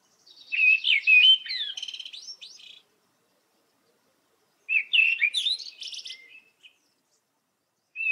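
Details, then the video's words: Common blackbird song slowed down: two phrases of about two seconds, each a warbled fluting run ending in a higher, scratchy twitter, separated by silence. "Blackbird song/call slowed down"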